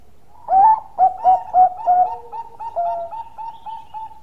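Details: Zebra dove of the Bangkok type in full long song: a few loud, clipped coos followed by a fast series of softer, even, rolling coo notes trailing off, all low and mellow.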